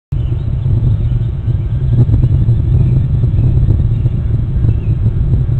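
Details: Loud, continuous low rumble like an engine or wind buffeting, with no animal calls.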